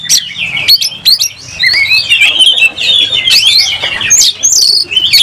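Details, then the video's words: Oriental magpie-robin, excited and fighting with tail spread: a few sharp chips at first, then a run of rising and falling whistled phrases and buzzy notes, loud and clear. "Kacer gacor langsung tarung buka ekor bongkar emosi"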